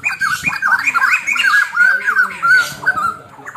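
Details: Training recording of a white-crested laughingthrush singing. A dense, continuous chatter of bouncing, slurred notes runs without pause, steady and loud, with scratchy overtones throughout.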